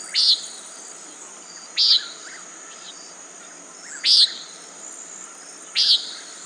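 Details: Common nighthawk giving four short, buzzy, nasal notes, each about a quarter second long and spaced roughly two seconds apart, over a steady faint hiss.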